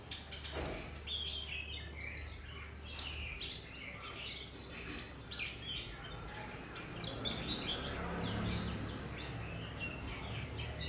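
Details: Recently wild-caught White-rumped shama, still with a scuffed face, singing at midday late in the season: busy sequences of short, high whistled and chirping phrases, a faint low rumble underneath.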